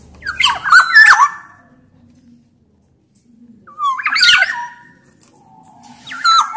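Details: Loud, persistent black-naped oriole from Sumbawa, used to prompt sluggish orioles to sing. Three bursts of rich, warbling whistles with raspy overtones, the last trailing into a steady, level whistled note.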